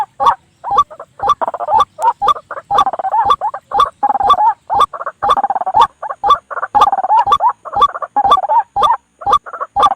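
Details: Trapping lure of white-breasted waterhen calls at night: short harsh croaking phrases broken into clipped bursts, with sharp clicks cutting in about twice a second.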